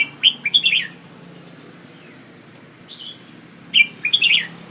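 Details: Red-whiskered bulbul, said to be an Ubon decoy bird, sings two bursts of rapid, cheerful slurred whistles, separated by a brief single note and quiet, with a faint low hum throughout.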